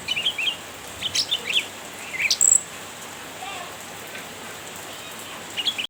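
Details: Chirping cucak ranting provoking a rival: clusters of quick, high, scratchy chirps in the first half, then a quieter stretch and a final short burst, over steady faint background noise.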